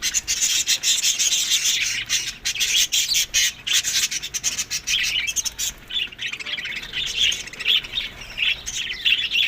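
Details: Several budgerigars eating in the May to June heat, Larkana, Sindh: loud, harsh, rasping chatter with dense clicky chirps, thinning into softer warbled notes near the end.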